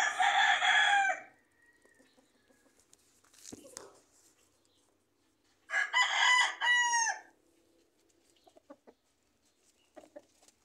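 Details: Rooster among a backyard flock of roosters and chicks near lemon and mango trees; two loud, hoarse crows about five seconds apart, the second ending in wavering drawn-out notes, with faint clucks and a knock between.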